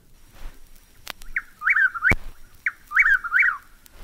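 Chuck-will's-widow gives its rolling, whistled 'chuck-will's-WID-ow' twice, each phrase a quick chain of swooping notes. A couple of sharp clicks interrupt.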